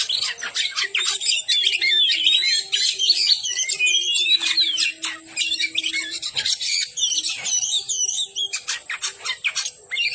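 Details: Oriental magpie-robin singing loud 'gacor dor nembak' masteran song: a very busy, fast torrent of whistles, harsh rasps and clicks with few gaps, a faint steady tone underneath.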